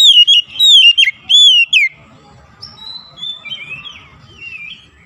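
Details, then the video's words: Oriental magpie-robin singing as therapy for a mute bird: three or four strong, wavering whistles in the first two seconds, then softer, thin trilled and warbled notes over faint background noise. "terapi mengatasi Kacer macet bunyi langsung gacor"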